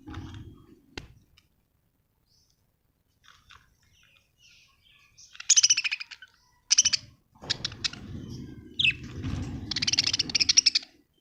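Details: Budgerigars kept at home: sparse chirps, then bursts of buzzy, rattling chatter and a short rising squeak, over a low household rumble.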